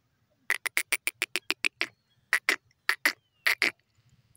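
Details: Female grey francolin (teetar) calling: a fast series of short, sharp, broadband notes, about ten in quick succession, then a pause and three more paired bursts, all clean with little background.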